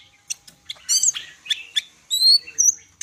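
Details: Greater green leafbird from Medan singing a short run of high sharp chips and clear whistled notes, some rising, others steady and pure, spaced by brief pauses.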